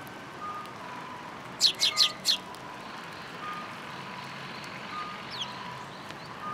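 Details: Sparrows that followed a person to be fed at a community hall, 26 February 2023: a quick run of four sharp, high chirps, then quiet background hum with faint tonal beeps.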